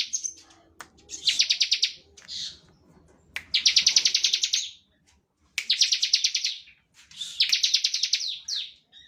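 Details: Bar-winged prinia, standard ngebren song meant to stir other prinias into singing. Four bursts of rapid ticking notes, each about a second, separated by short gaps and an occasional slurred note.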